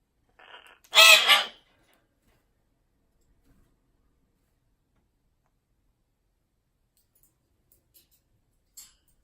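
An Amazon parrot gives one loud, harsh, raspy squawk lasting about half a second, after a brief softer nasal note; then near silence with a faint click.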